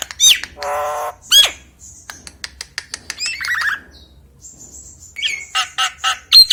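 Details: Nias common hill myna in full voice, used to draw out other mynas that seldom call: harsh buzzy squawks alternate with piercing down-slurred whistles and quick ticking notes, separated by short pauses.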